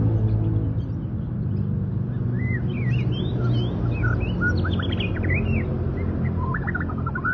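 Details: Local canary singing a varied phrase of clear, bouncy, slurred whistles and chirps, some rising sharply, followed by quick repeated notes, over steady low-frequency background hum.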